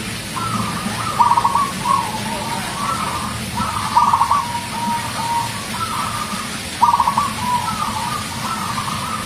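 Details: Local champion zebra dove singing lively: three trilled, purring coo phrases near one pitch, each a rapid stutter followed by a smoother drawn-out tail, spaced about every three seconds over a steady low background hum.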